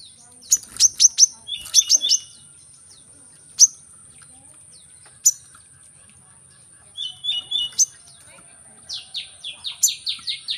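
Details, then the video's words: Brown-throated sunbird, presented as a recording for prompting birds that sing little, gives bursts of sharp, high, rapidly repeated chirping notes in quick runs separated by pauses, with a steady high whine throughout. "Kolibri kelapa | manggar | suara untuk burung malas bunyi"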